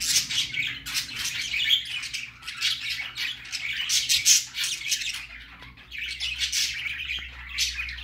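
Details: Young budgerigar on its first outing, squawking almost continuously in raspy, buzzy high bursts that blur together, with brief quieter gaps and a low background hum.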